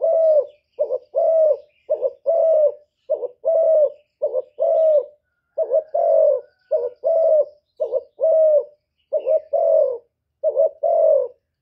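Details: Cooing contest between a decoy spotted dove and a wild bird: a long, steady series of paired low coos, a brief wavering note followed by a fuller sustained one, repeated rhythmically with no pauses.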